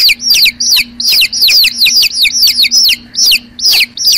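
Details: Chicken chicks peeping: loud, high descending cheeps repeated rapidly, about two or three a second, several birds overlapping, over a steady low hum.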